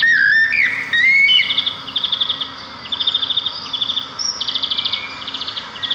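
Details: Birdsong of sparrows in nature: an opening slurred, wavering whistle, then repeated short bursts of rapid high trilled notes every second or so, over a faint low hum.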